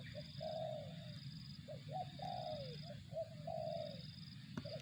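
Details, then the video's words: Spotted dove cooing: short clipped notes leading into long, slightly falling coos, repeated in three phrases over a steady low rumble and a faint high continuous tone. "suara burung tekukur"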